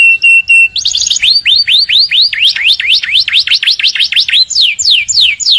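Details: Canary song in the morning: a flat whistled note, then a long fast series of swooping V-shaped whistles, closing with a few falling slides.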